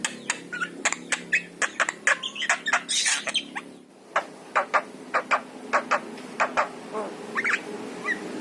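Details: Javan myna with yellow eyes singing, used to encourage caged mynas to sing: rapid clicking and rasping notes, a loud harsh burst near the middle, then more evenly spaced sharp chattering.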